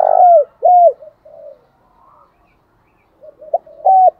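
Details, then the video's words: Spotted dove cooing in a recording used to spur other doves to coo and fight. It opens with two loud, hollow, down-curving coos, then softer low murmurs, a pause, and a rising burst of short coos at the end. "tieng chim cu gáy thúc đấu, cu gáy kích bổi nhanh nổi gù/ tiếng thúc"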